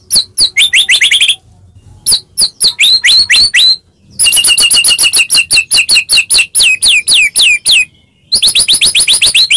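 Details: White-rumped shama song played to provoke a quiet shama into singing: fast bursts of high sharp down-slurred notes and chips, repeated in quick series broken by brief pauses.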